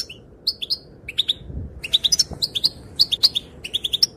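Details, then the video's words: Calls of a female goldfinch, described as setting the males dancing: sharp high twittering notes in rapid runs, some paired and some in bursts of four or five, against a quiet low rumble. "Sounds and calls of the female goldfinch make the males dance"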